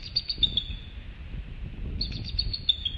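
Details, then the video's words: A newly hatched bald eagle chick, still wearing an eggshell "helmet," moves and cheeps at night on the nest as its mother prepares to brood, thin high cheeps in two quick bursts of slightly falling peeps over a low rumble. "the chick moves and cheeps"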